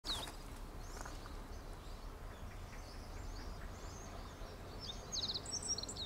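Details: Meadow bunting song picked up with a Sony camera and 200-600mm lens: a short burst of bright, high notes at the start, then a quick tumbling phrase of thin chirps near the end, over steady low outdoor rumble and faint distant birds.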